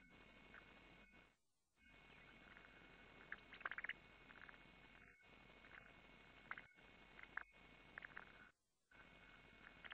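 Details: Montagu's harrier nest, 23 June 2015, female arriving with a mouse and feeding young; scattered sharp high chirps and clustered squeaky notes, loudest near the start and again late, with brief dropouts and steady background hiss.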